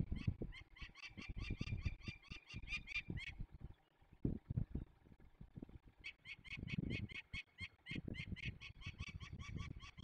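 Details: Young peregrine falcons released in Poland's Barycz Valley on 27 May 2020: two bouts of rasping, rapidly repeated calls separated by a pause of a few seconds, over heavy low rumbling and knocking noise.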